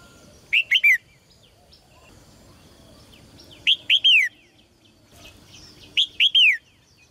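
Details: Caged red-whiskered bulbul, song for making males sing strongly: three similar phrases of three loud arched whistles each, the final note drawn out and falling, spaced a few seconds apart with faint background chirps.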